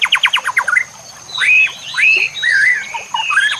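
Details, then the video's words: White-rumped shama song meant for training caged birds: a quick burst of repeated falling notes, then loud rich whistled phrases that rise and bend, over running water and a constant high-pitched hiss. "Cocok untuk pancingan murai batu AGAR LANGSUNG GACOR dan NGEPLONG"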